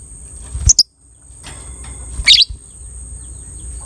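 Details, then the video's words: Lovebird, violet ('biola') colour variety, sound meant to raise breeding drive in other lovebirds; a quick double chirp, then a scratchy high burst about a second and a half later, over steady low hum. "DIJAMIN LOVE BIRD ANDA BAKALAN NGEKEK PANJANG SETELAH DENGAR SUARA INI"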